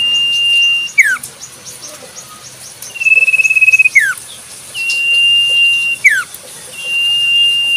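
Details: Common Iora in the wild giving long level whistles, each closed by a quick falling note, about four phrases in eight seconds, one opening with a fluttering vibrato. Faint high chirps sound in the background.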